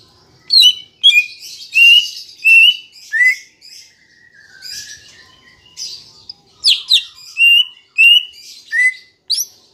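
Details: Green leafbird song meant to stir caged birds into song: a steady string of loud, clear whistles with downward slurs roughly every half second, mixed with softer high twittering.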